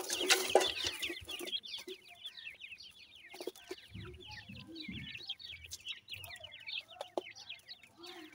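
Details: A steady stream of rapid, high chick peeps from feeding francolin chicks, roughly four per second, after a loud noisy burst at the start, with some low murmuring sounds in the middle.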